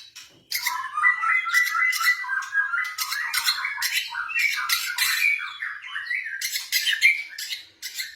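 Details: Kept pet white-rumped shama of the blorok type, recorded as a lure to stimulate other birds to sing: continuous rich, varied chattering song of quick whistled and harsh notes, with brief pauses and loud bursts near the end.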